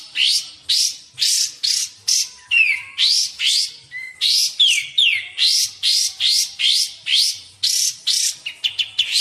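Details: Sooty-headed bulbul recording used as a lure for bird trapping and as a training tutor: rapid series of bright, rising whistled notes, about two per second, with a few downslurred notes in between, in a clean, quiet background.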